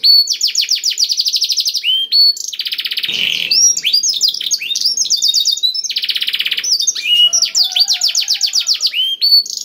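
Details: Energetic black-throated canary song for stimulating other canaries to sing: dense, rapid trills of high falling notes broken by buzzy churring passages, phrases repeating and changing pace continuously.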